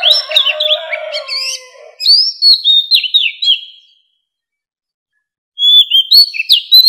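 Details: Oriental magpie-robin, a mature wild bird, singing to lure wild birds: a mixed, harsher opening with a lower drawn-out tone, then crisp repeated downslurred whistles, a pause, and a final bright whistled phrase.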